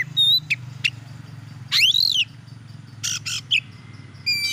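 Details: Oriental magpie-robin song to provoke other magpie-robins: sparse notes, including an arching whistled slur and brief harsh bursts, over steady low background noise.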